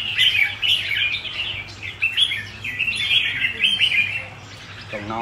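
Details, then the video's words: A red-whiskered bulbul, kept as a cage bird and prized for its good bearing, gives a lively, continuous string of high chirping, twittering phrases rising and falling; a brief voice cuts in at the very end. "Chào mào có nết đẹp mắt được nhiều Ae săn đón !"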